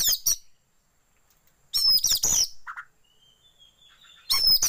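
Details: Sparse lure song for getting a kacer to spread its tail: three short loud bursts of high whistles and chips separated by silence, with one low brief note and a thin level whistle between them.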